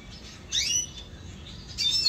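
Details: Red siskin kept at home, 2022: a quick high chattering phrase with a downward-sweeping note, a pause, then a second sharp high twittery burst near the end, over faint hum.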